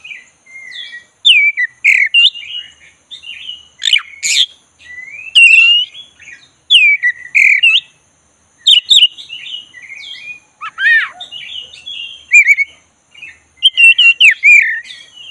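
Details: Oriental magpie-robin with a black breast, a kept bird being coaxed into singing: a steady run of varied whistles, sharp rising and falling slurs, and short scratchy bursts, phrases following one another about every second with brief gaps.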